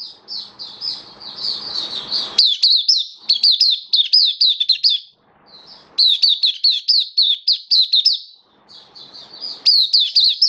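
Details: Caged Oriental white-eye (mata puteh) in open-singing display, recorded 27 October 2022. Bursts of high, thin, down-slurred chirps at about four per second, separated by brief pauses, with faint low rustling between phrases.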